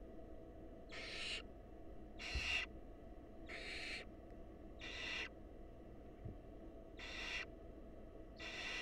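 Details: Wild barn owls at a monitored nest box, where the male presents a mouse and the female feeds it to a nestling: harsh, breathy hissing screeches, seven bursts about a second apart over a steady low hum.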